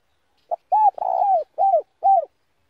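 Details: Spotted dove giving its slow 'giọng đồng' song for luring wild doves: a clipped opening note, then four low mellow coos, the second long and trilled, each ending in a downward bend. Quiet surroundings.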